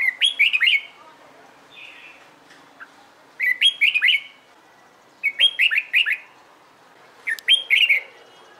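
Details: Four bursts of song from a red-whiskered bulbul trained for contest singing, each a tight series of four or five slurred whistles, repeated roughly every two seconds with faint chirps between.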